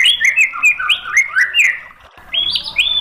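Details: White-rumped shama song used as a training lure to provoke birds into answering: rapid, varied whistled phrases that slide up and down, with a short pause before higher, clear, rising notes.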